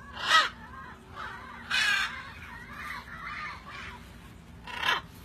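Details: Macaws at feeding time give harsh, raspy squawks: three loud bursts spaced about a second and a half apart, with quieter grating calls between them.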